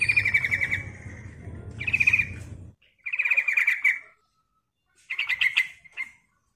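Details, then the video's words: Female sooty-headed bulbul calling to a male, recorded as a lure: four short, bright, trilling phrases of quick repeated notes, separated by brief pauses, with a low hum beneath the first two. "Suara Panggilan Trucukan Gacor Ampuh Bikin Bunyi dan Emosi"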